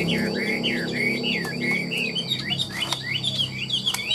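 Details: Caged Chinese hwamei for sale, described as nodding and warbling tirelessly. Continuous looping whistled phrases rise and fall in fluid slurs, and a few sharp clicks and a faint low rumble sit in the background.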